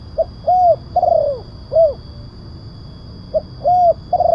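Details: Spotted dove calling as a lure to attract wild doves: clipped short coos, rounded mid coos and long descending coos in uneven sequence, two phrase groups with a pause between, low hum behind.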